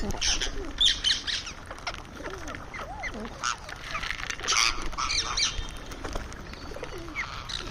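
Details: Ringneck parrot vocalising while feeding: bright, harsh squawks and chattering notes in irregular bursts, about two per second at times, over steady background noise.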